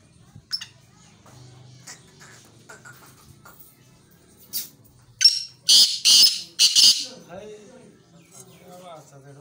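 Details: Black francolin (tetar) recorded June 29, 2021: after scattered faint clicks and rustling, a loud rasping burst of four grating notes in quick rhythm, then quiet low noise.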